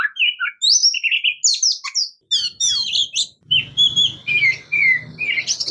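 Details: An Oriental magpie-robin (Copsychus saularis) sings a rich, varied run of clear whistles, slurred notes and quick chattery phrases, mostly high-pitched, over faint low background noise.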